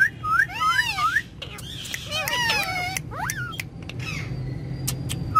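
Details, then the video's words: Several ringneck parrots chattering on the back seat of a car, looping whistled syllables that bend up and down in quick runs, with the rumble of the moving vehicle underneath. "Cute Ringneck Parrots Talking And Having Fun On Car Back Seat"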